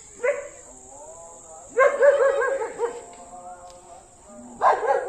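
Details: Pet parrot talking: three bursts of voice-like, harmonic syllables with wavering pitch, the middle one longest, separated by quieter murmuring and a steady high electronic whine throughout.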